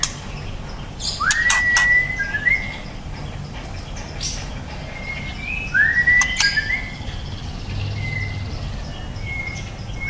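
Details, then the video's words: Juvenile white-rumped shama (trotol) giving sparse song: two bright, rising, swooping whistles followed by short flat whistled notes, separated by pauses, against a steady broadband background hiss and occasional clicks. "Murai batu trotol prospek"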